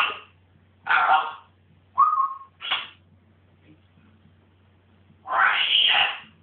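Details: Pet African grey parrot indoors, behaving excitedly. Brief scratchy squawks and a short flat whistle are separated by silences, ending in a long, loud, rasping screech.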